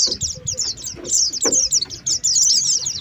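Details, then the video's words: Oriental white-eye lure sound from 2023 for pulling birds down: short bursts of high, squeaky twittering, the chirps bunched densely, with a couple of soft low thumps. "Suara pikat pleci"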